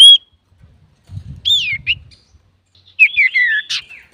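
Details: Male common iora in full song, used to provoke and tutor other birds: short whistled phrases of rising and falling notes in bursts separated by pauses, with a faint low rumble in between.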